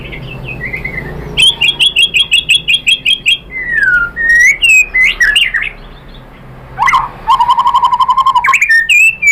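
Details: White-rumped shama (murai batu) in ocehan song used as a lure to provoke replies: varied loud whistles, then a fast series of high sharp notes, sliding slurred phrases, and a steady low rattling trill before bright repeated whistles.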